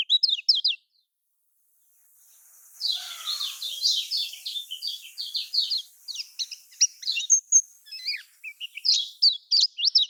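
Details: Lemon-bellied white-eye song in the Lombok style, played to prompt caged birds to sing: rapid high twittering notes, then a second of silence and a hiss-filled passage with dense, jumbled chirps that continue to the end.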